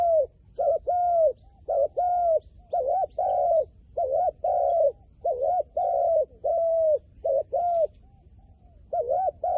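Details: A long series of wild pigeon coos, with short wobbly notes and longer steady falling coos repeated almost continuously. Brief gaps fall between groups, over a soft low background hum.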